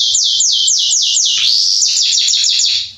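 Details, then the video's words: Singing male Salsa Belgian canary, used to warm up another canary: a series of fast descending slurred notes, about four per second, then a quicker run of short repeated notes, bright and loud. "Canário Belga Salsa macho cantando - Esquente seu canário belga em 30 minutos"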